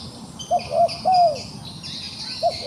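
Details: Trapped wild dove, still fighting, voicing a soft two-part coo that ends in a long drawn-out downslurred note, then starts another phrase. Faint high insect-like buzzing runs in the background.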